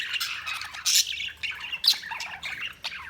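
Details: Several budgies chatter continuously, mixing sharp squawks with fast twittering chirps and short warbles, loud harsh notes standing out near the first and second seconds.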